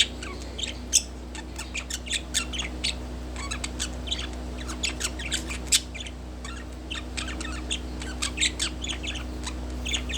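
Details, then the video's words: A pet budgie resting on a wooden perch chatters softly, with scattered chirps and quick twittering notes across the whole stretch, over a constant low electrical hum. "Relaxing Budgie On Wooden Perch With Cute Sounds"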